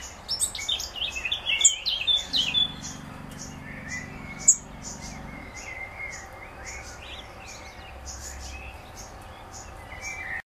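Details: Black redstart youngster crying for its mother, giving a steady series of high, thin ticks, about two per second, while a louder bout of scratchy twittering chirps fills the opening seconds over a low rumbling background.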